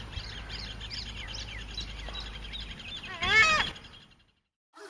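A single loud, nasal goose honk rings out near the end, following several faint, high chirping notes from other birds.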